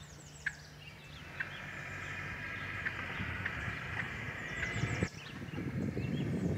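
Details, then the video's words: Two wild turkeys by a roadside give a few sharp, abrupt clucks, spaced about a second apart, over a steady low rumble and a drawn-out buzzy background tone. "Wild Turkeys Clucking"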